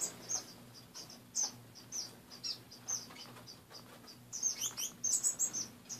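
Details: Several caged pet finches in the morning utter soft, evenly spaced high peeps, then break into a faster, louder jumble of squeaky tweets near the end, over a quiet low hum.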